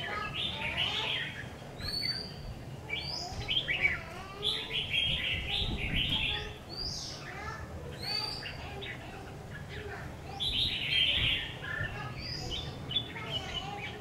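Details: Red-whiskered bulbul, a freshly acquired decoy bird tried out next to a house, singing busy overlapping whistled and chattering phrases in rapid succession. Low rumble and occasional talking run underneath.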